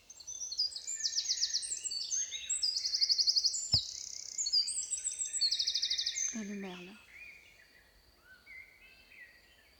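A loud, fast, high-pitched Eurasian wren song: a long run of bright notes and rattling trills that ends abruptly, with a brief lower nasal sound near the end.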